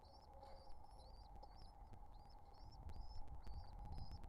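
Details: Pigeon nestlings calling while being fed: a quick run of faint, high, wavering squeaks, several per second, half-buried under a steady low rumble and occasional clicks.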